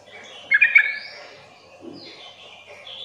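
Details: Sooty-headed bulbul calling to make other bulbuls sing back: a single brief burst of three rapid chirpy notes, then soft high whistling from other birds.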